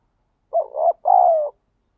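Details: Wild spotted dove giving a single 'thúc gù' coo phrase: a short wavering coo then a longer, level, mellow coo that falls slightly at the end, with silence around it.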